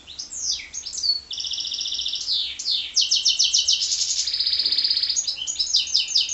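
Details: Goldfinch × canary hybrid singing a continuous, varied, high-pitched song: rapid buzzy trills, sweeping whistled notes and rattling repeated phrases, with barely a pause throughout.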